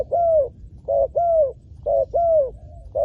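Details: Close spotted dove used to lure wild doves to the ground. A short coo alternates with a long, smooth, slightly falling coo, the pattern repeated three times at an even pace.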